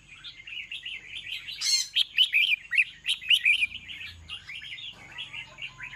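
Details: Evening song of a red-whiskered bulbul: a busy stream of bright, bubbly chirps and warbles that peaks in a burst of sharp notes midway, then softens.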